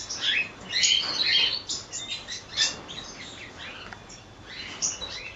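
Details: Cockatiels in a colony giving a busy mix of sharp chirps and short whistles, loudest in the first seconds and then thinning to scattered single calls.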